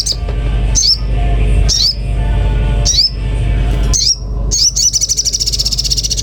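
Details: Common iora singing: sharp, high downslurred whistled notes repeated about once a second, ending in a rapid buzzy trill, over a steady low hum.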